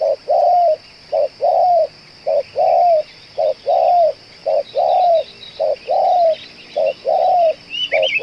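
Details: Captive spotted dove used as a decoy for luring others, cooing steadily: short clipped notes alternate with longer falling coos in an even rhythm, about one per second, over a faint constant high-pitched hum and a brief chirp at the end.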